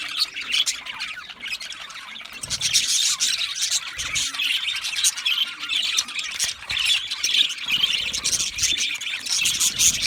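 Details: A crowd of budgerigars chattering nonstop: dense, buzzy high chirps and squawks growing busier after the first few seconds, with faint low knocks underneath.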